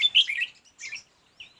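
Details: Red-whiskered bulbul at a fight-trap: a quick bright burst of tangled chirping notes, a softer second phrase, then a thin whistled note.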